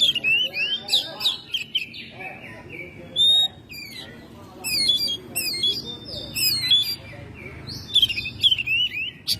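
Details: Home-kept Oriental magpie-robin in active May song. Rapid, varied phrases: sharp clicks, bright downslurred whistles and quick chattering notes come in repeated bursts with short gaps, over a low hum.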